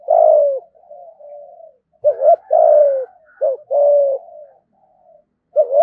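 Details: Caged spotted dove used as a lure bird, cooing loudly in low hooted phrases, a quick two-part note followed by a drawn-out falling coo, with fainter murmured coos in the gaps.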